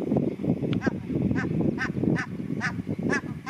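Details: A group of Barnacle Geese on a river: many overlapping short, nasal yelping honks repeated irregularly, several birds calling at once, over a constant low rumbling murmur.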